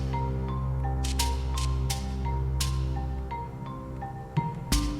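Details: Gentle marimba and glockenspiel melody over a soft sustained bass, with occasional percussive hits near the end and no animal sound.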